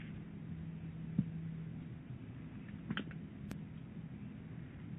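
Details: Low steady hum of a quiet indoor room with a few faint ticks and one brief click, no animal voice.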